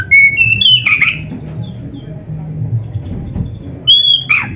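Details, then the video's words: Oriental magpie-robin (kacer) training song meant to make caged birds sing: a few sharp whistled and rasping notes, then a pause and one more bright whistle, over a low steady hum. "SUARA MASTERAN BURUNG KACER GACOR ‼️ DENGAN FULL ISIAN MEWAH - SEKETIKA IKUT GACOR"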